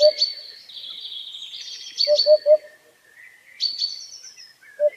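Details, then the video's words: White-breasted waterhen calling outdoors gives short, hollow low notes in quick runs of three, while thin, drawn-out high whistles from another bird ring above. "Cùng Nghe Tiếng Hót Của Con Chim Cuốc Quốc Ngoài Thiên Nhiên"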